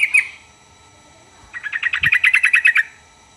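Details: Yellow-vented bulbul singing a quick, bubbly chattering phrase of about a dozen fast, even notes after a short opening chirp. The recording is used to draw replies from other birds of its kind.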